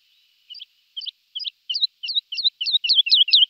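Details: Lark singing alone. Paired, twisting high chirps repeat about every third of a second and grow steadily louder and faster over a few seconds.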